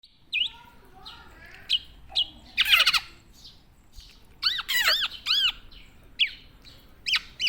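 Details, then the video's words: Tame Javan black-naped oriole singing actively: scattered short harsh notes and arched squawks with bright overtones, delivered in separate bursts with brief silences between them, plus a few fainter high chirps. "BURUNG KEPODANG JAWA JINAK & GACOR"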